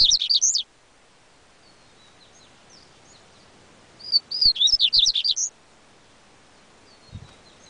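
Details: Yellow-bellied seedeater (coleiro baiano) delivering a fast song of high looping whistles, heard at the start and again after a pause of about three seconds, with soft scattered notes in the gap.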